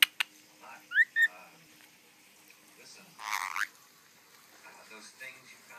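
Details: A young, hand-reared pet female musk lorikeet mimics laughter: two quick squeaky rising chirps, then a longer burst of harsh chattering notes, with faint speech murmurs behind.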